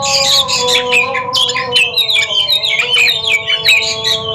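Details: Oriental magpie-robins dueling in a singing competition, pouring out quick, crowded strings of high twittering and whistled notes, about two to three per second, above a constant hum.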